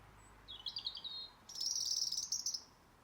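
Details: Birds singing in November in a tree by a garden in Blackrock, Dublin: a high twittering warble, then a brief pause, then a longer, brighter burst of rapid thin notes over soft background hiss.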